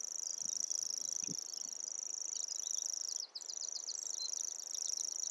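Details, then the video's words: Continuous shrill, insect-like reeling of a common grasshopper warbler, steady and unbroken, while another bird adds a quick series of short descending whistled notes midway. "Grasshopper Warbler and its song"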